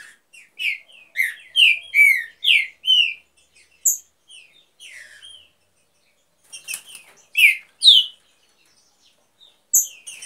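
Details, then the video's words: Aviary-kept green-winged saltator from a breeding pair gives a run of strong, downward-slurred whistles in quick succession, then goes quiet for a few seconds before resuming with more bright whistled notes. "TRINCA DANDO SHOW NO VIVEIRO"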